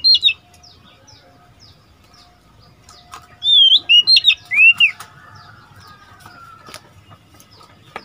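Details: Caged decoy Oriental magpie-robin, a young male aged seven months, trades song with wild birds: an opening whistle, then a cluster of loud arched and looping whistled notes, with long quiet gaps.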